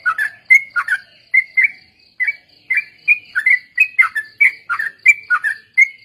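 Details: Sooty-headed bulbul (trucuk) lure song for ombyokan and ropel: steady series of liquid whistled phrases, each a dip and upward flick, repeated roughly every half second over six seconds, with a faint constant high tone behind.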